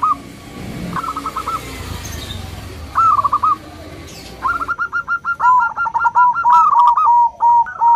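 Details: Local zebra dove singing in the loud 'crystal' style to draw and excite other doves: scattered short coo bursts over background noise at first, then a long, fast, steady series of staccato notes.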